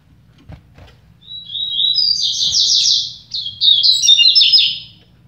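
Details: Double-collared seedeater singing in a song contest between two birds: a fast, bright, warbling phrase of rapid chirps lasting about three seconds, with a brief break midway, over a faint low rumble.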